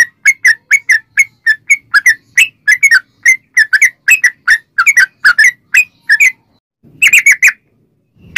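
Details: Lure song of a sooty-headed bulbul: a long string of quick, ringing whistled notes in pairs and singles, pausing briefly near the end before a final burst of chattering notes.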